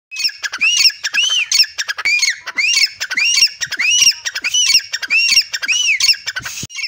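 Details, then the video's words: Grey francolin calling in a garden beside a tube well: a loud harsh series of rising-then-falling notes, repeated steadily about every two-thirds of a second. "teetar ki boli || teetar sound || teetar ki awaz || gray francolin voice"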